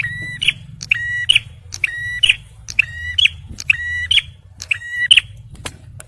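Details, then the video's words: Male bar-winged prinia song, used for luring and prompting stressed birds: rhythmic buzzy notes with clicked edges, repeated about once a second, over a low rumbling background. "TEMBAKAN PRENJAK MERAH JANTAN || CIBLEK SUPER GACOR"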